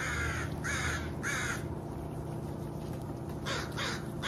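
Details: Crows calling: three harsh, raspy caws in quick succession, a pause, then two more caws, against a constant low rumble and hiss.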